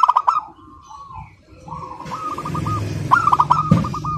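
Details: Local zebra dove calling without pause, crystal-voiced: a quick stuttered phrase and held note, then rising background noise beneath further staccato note runs.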